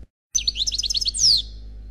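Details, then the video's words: Khalwi-style song of an unpaired European goldfinch: after brief silence, a short burst of high, looping chirps ends in one bright, sliding, downward note. "Chant Chardonneret Khalwi Célebataire"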